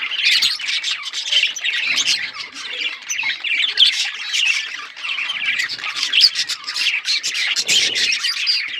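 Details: Budgies squawk and warble together in constant, rough-textured chatter, with swelling louder passages and a few sharp high notes.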